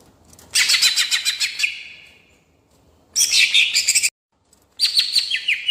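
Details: Greater green leafbird kept as a contest songbird, rolling song played to provoke rivals: three dense bursts of rapid, high chattering and whistled notes, each about a second long, separated by pauses and an abrupt silence.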